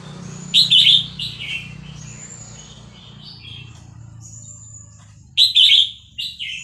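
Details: Caged Vietnamese red-whiskered bulbul, roused by a playback of hatchling chick calls, sings along in the fast linked-phrase 'tor dok' style. Two clusters of sharp, lively chirping notes frame faint high whistles, with a steady low hum underneath.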